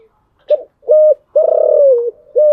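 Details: Spotted dove cooing in the morning, a cage bird: two short hollow coos, a long drawn coo sliding down, then another short coo, loud and clear.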